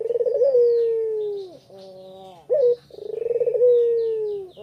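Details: Spotted dove ('puter pelung') in Kuta, Bali, in the afternoon, used as a lure to make other birds sing: two long mellow coos, each opening with a rapid pulsing then gliding slowly downward, separated by a short, sharper bent note.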